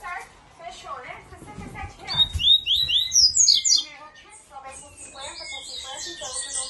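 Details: Double-collared seedeater singing strongly: quick bursts of high, sharp chirped notes tumbling in fast runs, loudest in the middle, with lower voice-like murmuring underneath at the start.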